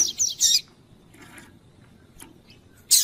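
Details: Male Double-collared Seedeater (Sporophila caerulescens) singing with a female calling: bright, high twittering bursts at the start and end, with thin scattered chips between, over a soft background hiss.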